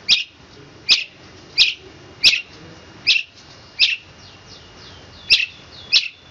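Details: Long-tailed shrike (cendet) in the 'roll speed rapat' style, here giving sharp, high, clipped notes spaced roughly every second, each a short bright chip, over a steady hissy background.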